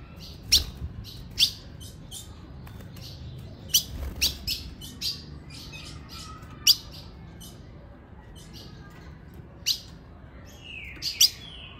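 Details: A female ultramarine grosbeak calling at 5:10 in the afternoon: sharp, high metallic chips at irregular intervals, about a dozen in twelve seconds, with one brief whistled note near the end.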